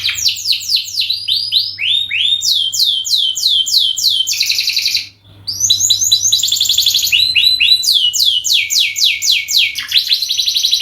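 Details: Extended canary song used as a lure: repeated descending whistled phrases, interrupted by dense buzzing trills and a brief pause, then more rapid falling notes at roughly four per second over a faint hum.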